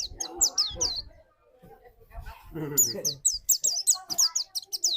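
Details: White-eye lure song intended to trigger a rival's rapid 'nembak' singing: quick, high downslurred notes at start and end, with a human voice and low murmuring in the middle.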